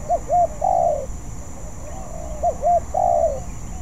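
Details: Practising spotted dove, not yet skilled, repeating its phrase twice: two quick arched coos then an extended low coo, the repeats about two seconds apart, with a faint hum behind.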